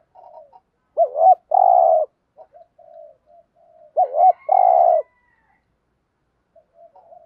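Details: Spotted dove 'gù thúc' coo for rousing new doves to call: two clear phrases about three seconds apart, each a pair of looping hoots and then a steady buzzy coo, with faint soft notes between.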